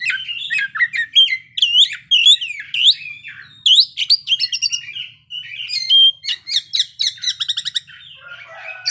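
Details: Singing kacer (Oriental magpie-robin) delivering a long run of its repertoire: fast sequences of sharp, swooping whistled notes, several per second, and a rapid buzzy trill near the end, with nothing else heard.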